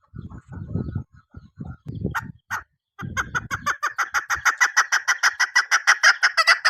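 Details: Female chukar partridge, kept as a hunting decoy bird, gives low throaty clucks, then breaks into a fast run of harsh chattering notes, about three per second, rising in pitch and intensity.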